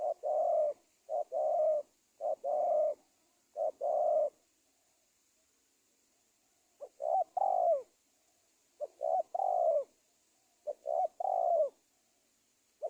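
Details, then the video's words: Spotted dove cooing as a lure for trapping wild doves, Indonesia: several rapid bursts of mellow hooting coos in clusters, with pauses between groups and a faint high hiss. "SUARA TEKUKUR PIKAT"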